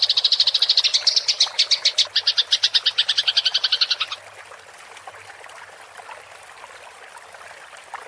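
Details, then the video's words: Fighting house sparrow in a rolling chatter used for songbird training: about four seconds of rapid high chirps that slow a little, then fall to near silence. "MASTERAN GEREJA TARUNG NGEROL suara jernih"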